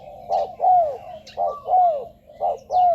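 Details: Spotted dove call used to lure wild doves to ground, branch or decoy cage; three unhurried pairs of low coos, each a short note followed by a longer falling one, soft high chirps between.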